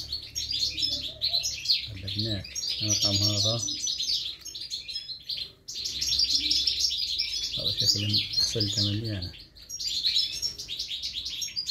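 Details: European goldfinch chicks in three nests being fed, giving dense, high, rapid chirping that runs almost without pause, with a man speaking Arabic over it in two short stretches.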